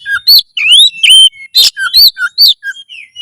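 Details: Oriental magpie-robin singing loudly to raise breeding drive and fight mode: rising and falling whistled slurs alternate with rough bursts, roughly two to three notes per second.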